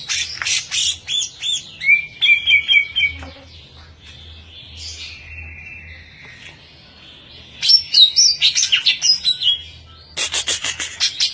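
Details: Greater green leafbird, a contest champion, delivering fast bursts of sharp chips, warbled whistled phrases, a long quiet stretched whistle, then renewed rapid chirping bursts.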